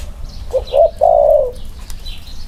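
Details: Male spotted doves compared side by side, one wing-clipped. A single phrase: two soft quick notes leading into one loud, long, hoarse coo that gently falls at the end.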